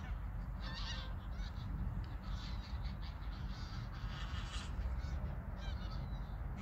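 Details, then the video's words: Geese on autumn migration pass overhead at Koedijk, Langedijk, Netherlands, on the evening of 21 August 2019. Faint overlapping honks from a flock run almost continuously, partly masked by heavy low wind noise. "Vogeltrek Ganzen/ Migration Gooses/ Migration d'Oies"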